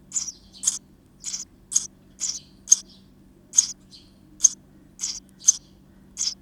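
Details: Active young birds calling from inside a bird house on 19 May 2023: short, harsh, hissing high bursts, about seventy a minute at uneven intervals, with a quiet low hum behind.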